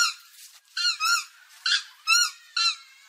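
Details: Purple swamphen call from India, played as a lure for bird trapping: loud nasal, harmonic-rich squawks, each about a quarter second long, given in a broken series of five with short gaps.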